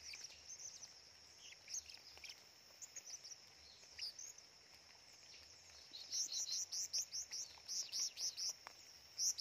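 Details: Blue-crowned hanging parrot in full, chatty song in the middle of a forest; sparse high squeaks give way to a rapid run of sharp, very high-pitched chips, all over a constant whining insect chorus.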